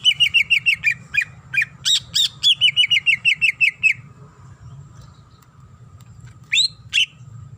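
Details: Female greater green leafbird in breeding condition calling the male: about fifteen quick repeated chirps and whistled slurs over four seconds, a pause, then two final sharp notes, with a steady low hum in the background.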